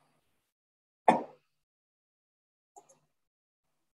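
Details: Near silence, broken by one short, sharp thud and a faint double tap a moment later, with no animal voice.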